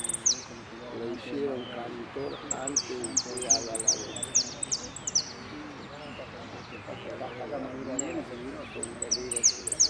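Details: Saffron finch singing at a bird-song contest in Merlo on 3 December 2017: bright, high chirping phrases in quick bursts, about one every second or two, over steady men's conversation nearby.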